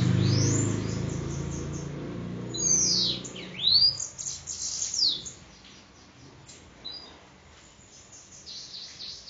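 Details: Sibite, the Bananaquit, at Parnamirim, Rio Grande do Norte, giving high sliding whistles and a sharp downward-then-upward sweep after a loud low rumble at the start, with scattered faint chips later.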